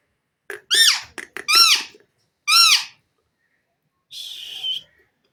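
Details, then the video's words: Indian ringneck parakeet, a pet showing off its talking and mimicry: a few arched, harmonic squawk-like notes in quick succession, a pause, then a buzzy, rasping call near the end. "indian Ringneck parrot bird talking"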